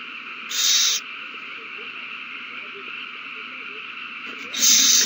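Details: Owls at a nest on March 21, 2020, in a renewed frenzy after one finds a mouse and passes it to another. Two short, harsh, hissing screeches, the second near the end, over a steady background hum.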